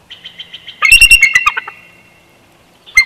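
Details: Female bald eagle chortling at a Big Bear Valley nest, 12 June 2021: soft piping notes build into a loud, shrill, rapid staccato run that trails off, then a fresh burst begins.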